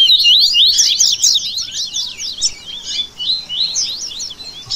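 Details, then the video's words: Captive coleiro (double-collared seedeater) in a fast 'baderna' song for song and stamina training: dense, rapid twittering of high zigzag whistled notes, loud at first, then choppier phrases with brief gaps. "Esquente Seu Coleiro Que Tem Fibra!!! Baderna Top Para Manejo De Canto e Fibra!!!"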